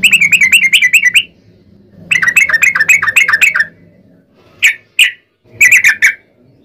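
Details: Chattering song of a yellow-vented bulbul used to lure other bulbuls into singing: a fast run of warbled notes, a second run, then a few sharp isolated chirps and a final short burst.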